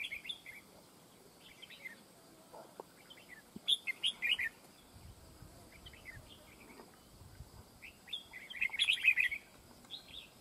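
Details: Red-whiskered bulbul singing as a decoy in a fight trap: scattered chirpy warbles, two loud bursts of rapid jumbled whistled notes, with quieter phrases between.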